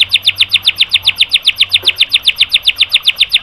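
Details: White-rumped shama masteran song for training caged birds, a steady, evenly paced series of bright, sharp high notes, about four per second and throughout, with no other sounds.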